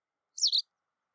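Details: White wagtail giving a single sharp, high two-part chirp, a quick double note lasting a fraction of a second against complete silence.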